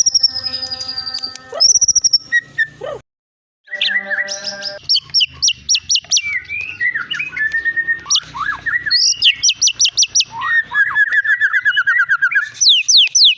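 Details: Long-tailed Medan white-rumped shama, a caged bird that has won many contests for its melodious, varied song, gives long high whistles, a brief pause, then rapid repeated notes, slurred whistles and chattering trills.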